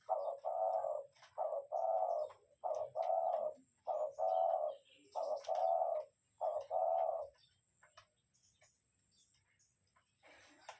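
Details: Lure spotted dove cooing steadily, a run of seven deep, hoarse coo notes, each under a second long and spaced about a second apart, followed by quiet with faint rustling and ticking sounds.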